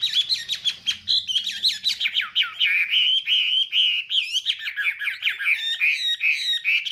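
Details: Chinese hwamei in morning fighting song used to train the voice: rapid rich warbling with quick slurred whistles and chattery notes running nonstop, a faint low murmur at the start.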